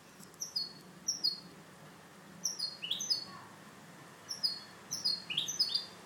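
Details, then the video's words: Clean song from a caged European goldfinch hybrid under training: clusters of very high, sharp chirps with brief downward-sliding tails, repeated in small groups with gaps, a faint hum underneath. "MIXTO JILGUERO CANTO LIMPIO"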